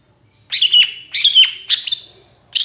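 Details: Long-tailed shrike singing to provoke other shrikes: three loud, harsh phrases, each a rasping burst with a falling whistled tail, separated by short pauses.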